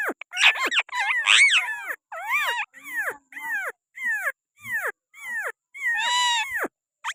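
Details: Pakistani green parrot on a hand, chattering in a steady run of short, bent, falling squawks and whistles, ending with a longer harsh note.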